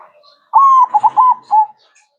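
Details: Perkutut, a zebra dove, singing a single gacor phrase for masteran training: a smooth drawn-out coo followed by several rapid throbbing notes and a final short coo, with slight background hiss.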